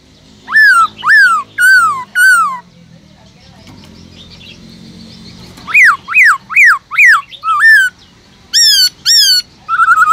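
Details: Black-throated laughingthrush, kept in a cage, sings a wild-style song for stimulating other birds: four loud descending whistles, a lull with low background noise, then rising-falling loops and high upswept notes.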